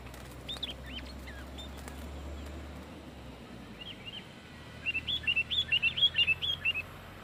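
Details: Sooty-headed bulbul singing loudly to challenge rivals: a few scattered slurred whistles, then a fast burst of about a dozen bright chirping notes near the end over steady low background noise.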